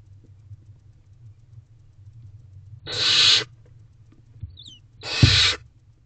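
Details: Barn owl owlet in a nest box at 8:35 pm on 2 May 2023, tackling a rodent, uttering two drawn-out raspy hissing screeches about two seconds apart, with faint scuffling in between.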